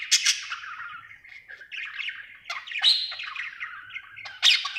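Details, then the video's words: A happy budgerigar chirping: harsh opening notes lead into a steady scratchy warble, with loud sharp calls breaking in around the middle and near the end. "Happy budgie chirping sound"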